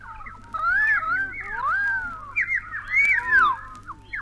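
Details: Bellbirds from a 1960s recording made in Australia call with overlapping clear whistled notes that slur up and down, several voices weaving together throughout, against faint background hiss.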